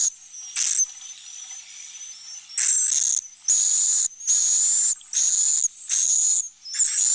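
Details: Swiftlet roosting sound for the sleeping and nesting rooms of a swiftlet house: a few scattered high chirps, a long quieter stretch of faint whistling, then a steady run of shrill hissy bursts near one per second.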